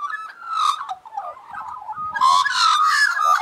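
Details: Several Australian magpies warbling together in harmony: a sliding, whistled line near one pitch, then a louder burst of rich, harsh-edged notes layered over a steady fluting tone.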